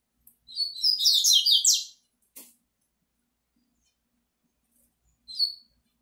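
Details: Singing toward a female, a double-collared seedeater delivers a fast, high, chattering phrase of slurred notes for about a second and a half, followed by a short click and a single thin whistled note.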